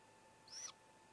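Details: At a great grey owl nest on 16 May 2017, as the youngest of four owlets swallows a whole vole, apparently with a sibling cheering it on, comes a single brief, high, rasping hissing screech of about a quarter second over a faint hum.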